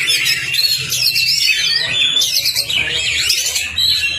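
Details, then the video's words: Oriental magpie-robin tutor song meant to make a quiet kacer sing: energetic warbled phrases of looping whistles and buzzy chips, pausing slightly midway, with low background hum. "PANCINGAN KACER CEPAT ON NGOBRA... masteran Kacer macet"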